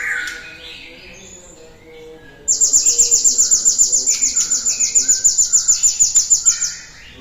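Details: High, sharp cinereous tit trill used to get other birds singing, beginning after a quiet stretch of soft lower warbles and running about four seconds of rapid, regularly spaced piercing notes.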